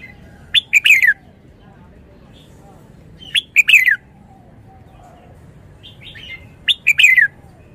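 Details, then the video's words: Red-whiskered bulbul singing wild-style song, delivering three loud phrases about three seconds apart, each a few sharp clipped notes running into a bright, falling warbled whistle, with a faint twitter in between. "นกกรงหัวจุก 292 เพลงป่า แกนโต"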